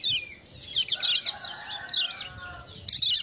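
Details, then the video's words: Lemon-bellied white-eye twittering after ciak-ciak prompting: fast, high chirping phrases over a noisy background, with a brief louder burst at the close. "Kecial Kuning joss gacor"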